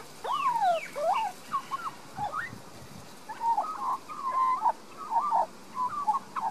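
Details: Young Australian magpie singing in a Queensland garden, Australia, filmed using a Panasonic Lumix DMC LX7; loud, rich warbling of swooping downslurred and upslurred whistles, a short pause, then a busy run of chortling, wavering notes.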